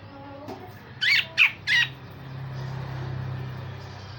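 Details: Grey-cheeked bulbul with coarse rasping notes, played to train other songbirds: three harsh, raspy notes within a second, followed by a low rumbling hum.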